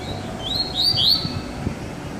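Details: Short baderna phrase from a double-collared seedeater kept with another bird: a few high slurred whistles swelling into a brief bright flourish.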